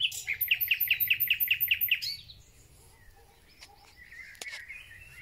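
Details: Thrush nightingale singing in spring. The song opens with a rapid, regular series of about eight hard repeated notes lasting two seconds, then goes quieter, with scattered soft notes and a drawn-out whistle near the end.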